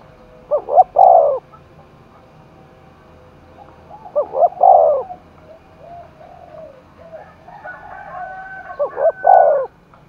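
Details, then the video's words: Contest-roused spotted dove cooing in Đồng Nai: three stuttered-then-drawn coo phrases roughly every four seconds, with quieter, fainter coos heard in between. "cu gáy thúc đấu vang cả núi rừng đồng nai, cu gay kich boi nhanh noi gù"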